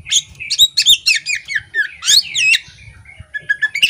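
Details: Female Oriental magpie-robin of the poci type, chattering actively while spreading its tail; a rapid run of sweeping whistled notes and trills, many rising or falling, packed closely together, with faint low rumble beneath.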